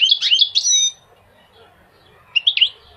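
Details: A quick burst of bright goldfinch twittering with ringing high notes, then near silence, then a second short cluster of chirps.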